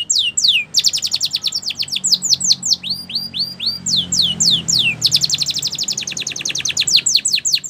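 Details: Singing canary of the Spanish Timbrado type, used to train canaries: quick falling whistles, a soft series of rising curved notes, then a dense fast trill of steep downstrokes.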